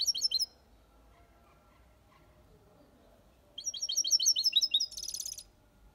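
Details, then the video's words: Aviary-kept European goldfinch singing copia Malaga song. A short burst of twittering, then quiet, then a second vivid run of rapid, ringing chirps ending in a buzzy rattle. "Goldfinch song/ best chirping of the goldfinch | Jilguero Cantando copia malaga/ chardonneret chante"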